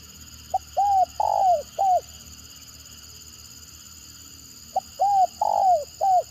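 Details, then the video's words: Spotted dove with a stuttering 'gagap' call, used as a lure to provoke other birds. A soft, low-pitched coo phrase comes twice, separated by about three quiet seconds. Each phrase is a short blip, a curved coo, a longer louder falling coo and a closing curved coo. A steady high tone persists. "Mendengar Suara Tekukur Gagap Ini Burung Lain Pasti Responnya Gacor"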